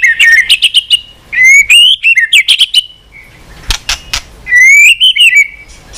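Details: Rich song of a white-rumped shama, played to stimulate tail-flicking and varied singing in trained shamas; rapid clusters of bright upslurred whistles alternate with brief clicking bursts.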